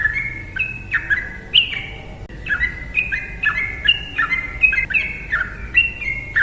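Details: Trucukan, the yellow-vented bulbul, singing long 'ropel' phrases: clear liquid whistles that step up and down between two pitches in quick repeated pairs, flowing without a break.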